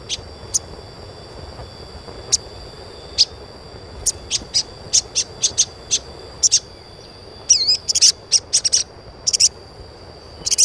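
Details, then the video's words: Asian pied starling twittering played to make young starlings sing sooner: sparse sharp chirps that grow into quick repeated high notes, with a wavering whistled curl near eight seconds and clustered chirps toward the end. "SUARA CUITAN SOGON UNTUK PANCINGAN SOGON BAHAN AGAR CEPAT GACOR"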